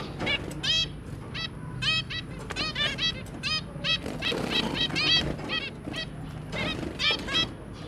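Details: Five zebra finches, a pair with their three babies, recorded 23 January 2022: a steady stream of short, nasal, trumpet-like beeps, often doubled or in quick runs, overlapping from several birds.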